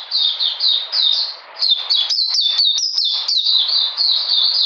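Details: Oriental magpie-robin on a cold, rainy 13 June 2020, singing runs of falling whistles interspersed with sharper, clipped higher notes in the middle of the passage.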